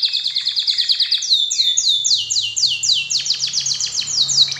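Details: Lure song of a canary for stirring other canaries to sing: rapid twittering trill giving way to loud descending whistled notes repeated about twice a second, over a faint low hum.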